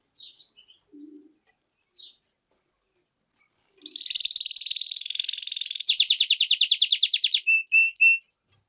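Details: Goldfinch-canary hybrid song: after a few soft chirps, a loud rapid buzzy trill bursts in, shifts to a faster rattling series, then ends in a few clear whistled notes.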